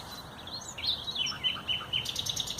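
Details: Common nightingale singing on 30 April 2021: varied whistled notes and twisting slurs, then a burst of dry rattling clicks, melodious and loud over light background noise.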